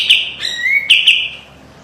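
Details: Brief white-eye master song fragment: sharp high chips around a long rising whistled slur, fading out.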